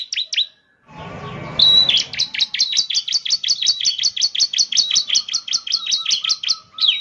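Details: Bar-winged prinia song meant to set off a caged bird: a brief chirp, a noisy gap, then a long steady trill of rapid high chirps, nearly three per second.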